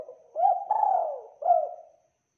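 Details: Clear, thick-voiced spotted dove song: a soft lead-in, a rising coo, then a long mellow coo dropping in pitch, and a brief final coo, in a quiet setting.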